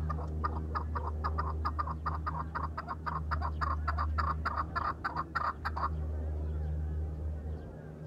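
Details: Farmed chukar partridge calling in a fast, loud run of harsh chuck notes for about six seconds, then stopping, over a constant deep mechanical hum.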